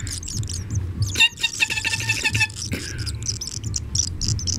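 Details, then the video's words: Barn swallow nestlings from a brood of five at a house nest beg with a brief, shrill, rapid chorus of squeaky notes, gaping for food after a person imitates their mother's call. Then the mother arrives. "Barn Swallows reactions towards imitated mother's sound"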